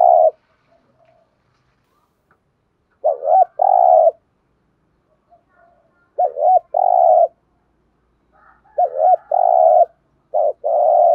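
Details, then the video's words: Spotted dove repeating its thúc gù coo about every three seconds: each phrase a quick wavering double note then a long, steady, burred coo, four phrases in a quiet setting. "cu gáy thúc gù nghe phê"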